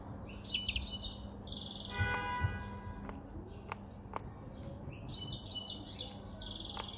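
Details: Male European goldfinch with a white chin, kept caged five months after capture, singing near spring: twittering, buzzy phrases with a brief tonal, harmonic-rich sound in the middle and a low hum beneath.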